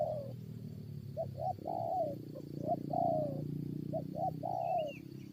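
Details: Spotted dove calling during a lure fight with wild birds, several rolling coo phrases ending in long sliding croos, partly masked by a broad low rumble, with a brief high twitter from another bird.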